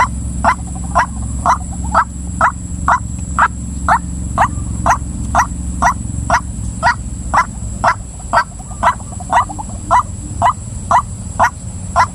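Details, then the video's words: Long, even run of loud, harsh notes from a female white-breasted waterhen, about two per second and sustained for twelve seconds, over constant background hiss and a high whine. "suara ruak ruak betina"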